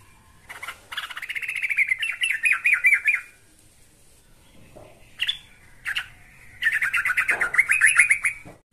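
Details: Yellow-vented bulbul (trucukan) answering a rival: rapid rising and chattering bubbly notes for two seconds, a few scattered single notes, then another fast run.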